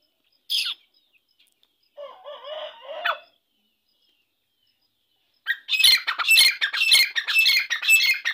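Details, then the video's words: Irani dakni teetar, a grey francolin: a lone sharp note, then a brief wavering chatter, a pause, and finally a loud run of rapid, grating squawks repeated almost twice a second. "Irani dakni teetar ki awaz"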